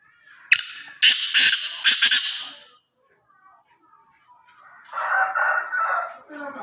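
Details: Black francolin, known locally as kala tetar, giving a harsh, grating call: one sharp rasping note, then three loud scratchy bursts in quick succession over about two seconds. A quieter, lower sound follows after a pause.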